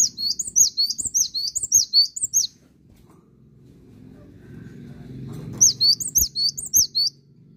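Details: Cinereous Tit singing two bursts of rapid, high, repeated two-note phrases, sharp and ringing, separated by a few seconds of low background rumble.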